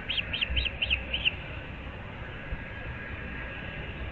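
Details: Osprey at its nest in Naples, Florida, at 06:37 on 15 April 2024: five quick high whistled yelps in the first second, then only steady low background noise.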